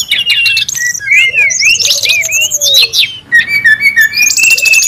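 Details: Wild brown-chested jungle flycatcher, busy lure and tutor song: loud, nonstop mix of looping whistled phrases and chirps, a lower sliding whistle underneath, ending with steady level whistles under a buzzy high trill.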